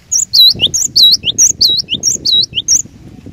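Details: Cinereous tit singing to provoke rivals with a different pattern: loud swooping, bowl-shaped whistled notes alternating with shorter higher and lower notes, repeated rhythmically about every third of a second, over low clatter.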